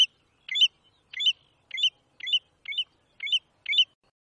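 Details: From Brazil, an American golden plover, locally batuiruçu, repeating sharp, bright chirps about every half second, seven notes in a clean, steady series.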